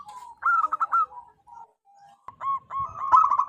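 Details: Loud local wild zebra dove used to lure its kind: soft drawn notes, a short burst of quick coos, a pause, then hooked rising coos that speed into a dense trill.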